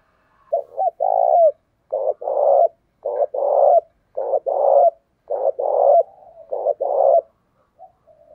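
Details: Decoy spotted dove calling to attract wild birds: a rapid run of about eight low two-part coos, a short note then a drawn-out purring coo, nearly every second.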